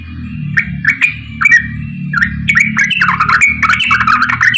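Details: Straw-headed bulbul giving a long rapid song flurry, used as a lure to prompt reluctant birds to sing. Rich warbled and slurred whistles, sparse at first, then a dense continuous run, over a steady low hum and clicking noises.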